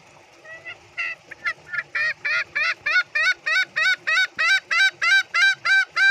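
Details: Green junglefowl (Gallus varius) cackling to call companions, used as a lure that other green junglefowl usually answer: a fast series of nasal, honking notes, about three per second, growing louder and steadier over six seconds.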